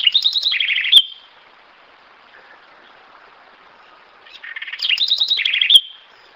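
House wren singing two quick, bubbly phrases about four seconds apart, each a rapid burst of high notes tumbling downward and ending in a sharp trill.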